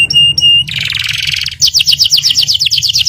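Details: Singing canary in ngerol nembak style, opening with two flat high piping notes and a long grating buzz, then breaking into a fast roll of repeated downward-swept whistles; low background hum.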